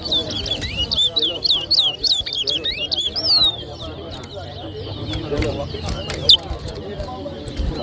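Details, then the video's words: Towa towa, or chestnut-bellied seed finch, singing in a 2023 bird whistling competition at New Amsterdam, Berbice, Guyana. Rapid run of looping, whistled notes in the opening seconds, then softer scattered notes over murmuring voices. "TOWA TOWA BIRD WHISTLING COMPETITION"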